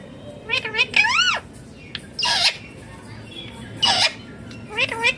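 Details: Talking green Indian ringneck parakeet giving a run of harsh, wavering, harmonic squawks in about five bursts over five seconds, each rising and falling in pitch, with a faint low hum behind.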